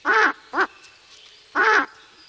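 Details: [1, 'likely', 'alarm call', 'Ural owl reacting to a person near its nest: three harsh, hoarse barking calls, two close together then a third after a pause of about a second, in a quiet setting.']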